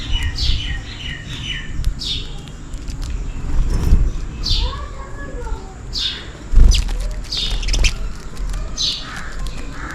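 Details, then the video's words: Sparrows chirping on a rainy day while calling for food: bright, short, downward-sliding chirps in loose clusters, some quick doubled notes, over a steady low rumble with a few lower tonal calls midway. "Sparrow Birds Chirping Sound is the MOST RELAXING Sound in Rainy Days || Sparrow birds call for food"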